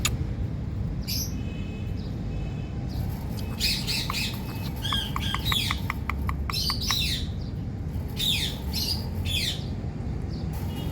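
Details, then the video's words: Indian parrot giving a series of sharp, harsh squawks and short chirps in irregular bursts, some clustered rapidly, over a steady low rumbling background noise. "Indian Parrot Calling Mithu"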